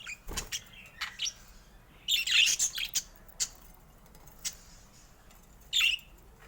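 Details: Budgerigar chirps come in sparse short bursts, a cluster of bright squeaky notes in the middle and another near the end, with soft clicks and taps between.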